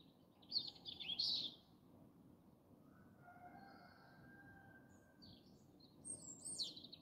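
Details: European robins sing near an airport runway in Malta at 4:30 am in January: two high, thin, sparkling warbled phrases separated by a long pause, over a steady low background hum.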